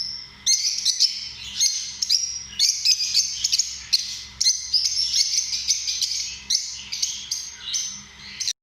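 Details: Dense, harsh high-pitched lovebird chattering with many sharp chirps and squeaks packed closely together, loud throughout, over a faint low hum.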